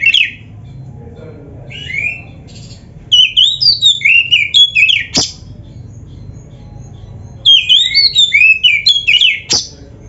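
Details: Oriental magpie-robin, black-breasted kacer, in a caged-bird training song full of varied phrases: two bursts of fast twisting whistled notes, each closed by a sharp snapping click, separated by several seconds of quiet.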